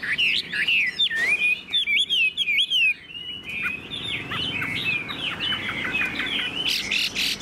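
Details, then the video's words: Caged, tame Chinese hwamei pouring out a rapid, varied song of twisting whistles and chattering notes, gradually softening into denser twittering phrases. "Họa mi đẳng cấp, chim thuần, hót như 1 cái máy"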